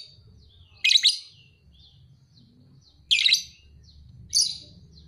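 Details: Two-and-a-half-month-old lovebird, a 'paud' fighter, giving three separate harsh, scratchy chirp bursts spaced about a second or more apart, with quiet ticking between them and a low hum.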